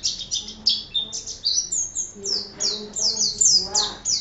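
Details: Oriental white-eye, known locally as pleci, chattering in 'gacor' fashion: quick strings of high, thin, downward-slurred chirps with faint lower sounds in the background.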